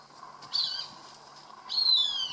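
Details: Cooper's hawk calling while eating a caught rat, heard from a garage door: two high, harsh, descending squealing calls, the second longer, with quiet background.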